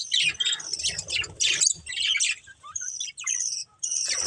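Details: Breeding pair of budgerigars: harsh, busy chatter at first, then sparser clear whistled chirps and short squeaky notes separated by small gaps.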